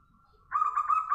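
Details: Zebra dove answering a lure bird: after a faint held tone, a loud rolling coo starts with quick warbled pulses on one steady pitch.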